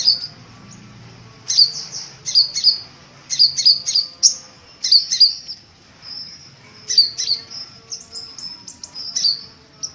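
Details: Sunbirds, kolibri ninja and kolibri wulung, singing hard: rapid series of high, sharp chipping and twittering notes in irregular clusters, roughly three to four per second, with brief gaps and a faint hum below.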